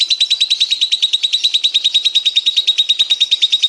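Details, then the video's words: Lovebird in the 'konslet' singing style, used as a training recording to prompt silent lovebirds and teach young ones: rapid, steady chatter of buzzy high notes, about three per second, held evenly throughout. "Masteran Suara Lovebirds Konslet,Lovebird Yang Denger Di Jamin Langsung Nyaut"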